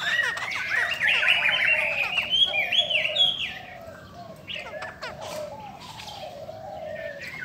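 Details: Female Chinese hwamei singing strongly to stimulate males: a loud run of varied whistled phrases, sliding and warbling, dropping to softer, scattered notes in the second half over a steady low background hiss.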